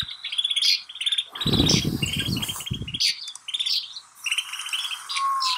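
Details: Snow buntings in Kananaskis, Alberta, Canada, twittering with rattled buzzes and thin chips, interrupted by a loud low rustling burst and ending with a soft drawn-out whistle.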